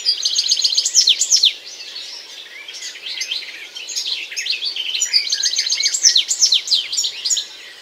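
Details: Rapid twittering song of the European goldfinch, bright liquid chirps and rattling trills strung together without pause, swelling and easing in waves.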